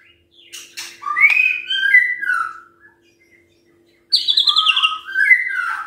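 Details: White-rumped shama song for morning provocation of other birds: soft introductory notes, then sweet slurred whistles falling in pitch, silence, and a loud trilled high phrase dropping into mellow whistles; steady faint hum.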